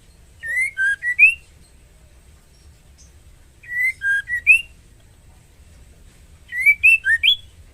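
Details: White-rumped shama female in breeding condition calling a male: three four-note whistle phrases roughly three seconds apart, the last phrase quicker with a higher upward-flicked ending note.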